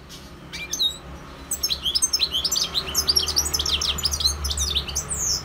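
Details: Wild European goldfinch song: a few scattered high chirps, then a dense, continuous stream of fast, tinkling, twittering notes for about four seconds, with a faint low hum underneath.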